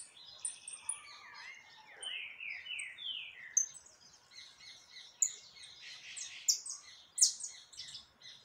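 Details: Saffron finch in full song on 20 October 2021: a run of downward-slurred whistles followed by scattered high chips and trills, with more finches calling over one another.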